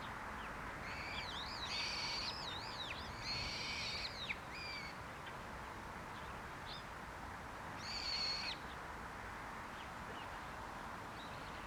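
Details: Olive-backed pipit (Anthus hodgsoni) call, February 2022: thin, high, sibilant notes in a quick cluster of several and then a single call later, over steady background hiss.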